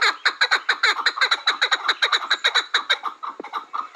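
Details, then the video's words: Chukar partridge delivering rapid, rough chuck-chuck notes in a dense, slightly uneven rhythm, with one lower, softer note near the end. "Кабки Сурак"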